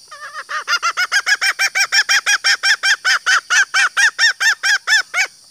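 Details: Female green junglefowl luring males with a long series of loud, nasal clucks at a quick, steady rhythm of about two per second, some twenty notes, over a faint high background hiss.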